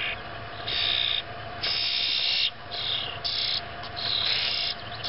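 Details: 4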